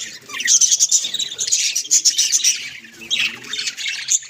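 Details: Pet budgies at home in a lively flock chorus: rapid high ticking chirps and scratchy warbles repeated in quick runs, then softer chatter.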